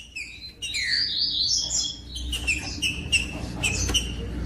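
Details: Green-winged saltator singing, played to get other saltators singing strongly: a rising-then-falling whistled phrase, then short clear whistles at intervals, over scattered clicks and faint low background rumble.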